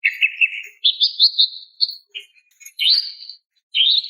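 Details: Female greater green leafbird calling a male: a warbling low whistle, a higher rippling whistle, then short chips and two more rippled whistled phrases.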